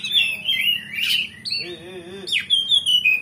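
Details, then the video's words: Oriental magpie-robin in full, continuous song that shows off its repertoire, meant to provoke a rival magpie-robin to answer and fight. Sweet wavering whistles, a long steady whistled note, then sharp downward slurs and quick trills. "Pancingan Kacer Gacor Ngeplong Bongkar Isian"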